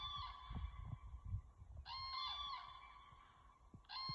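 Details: Rolling, bugling crane calls in three bursts, rich and resonant with a rattling quality, against continuous low-pitched wind rumble outdoors.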